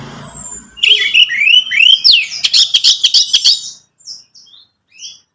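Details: Orange-headed thrush song played to coax a captive bird into singing: rich varied whistled phrases with rising and falling slurs, then a burst of rapid high clicking notes and a few thin trailing chirps.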